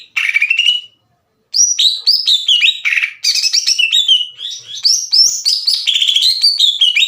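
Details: Greater green leafbird song used to provoke other leafbirds. It opens with a rising whistled note, goes briefly silent, then pours out a long tumbling medley of squeaky, slurred and scratchy phrases.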